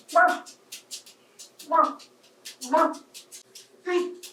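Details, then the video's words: A 28-year-old adopted African grey parrot, male, chattering while playing with toys in the bathtub: four speech-like phrases spaced about a second apart, with human talk in the background. "Murphy Bird Talks to Toys"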